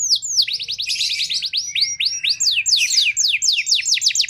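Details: Canary lure song (pancingan) used to prompt canaries in poor condition to respond: rapid high trills of repeated downslurred notes, changing tours every second or so, with denser buzzy passages in between.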